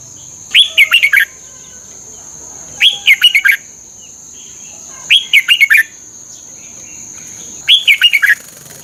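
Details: Red-whiskered bulbul song played to train caged birds in Thailand: short bright phrases of five or six quick warbled notes, repeated about every two and a half seconds, with a steady high electrical whine throughout.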